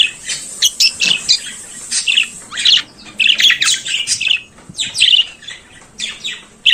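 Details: In the morning a budgerigar sings a busy mix of scratchy warbles, clicks and sharp chirps, nearly continuous with a few short breaks.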